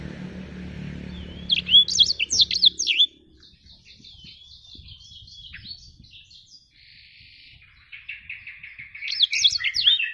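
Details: Active black-throated canary song: a sharp burst of twisting whistles, a softer stuttering buzzy passage, then another loud jumbled flourish at the end.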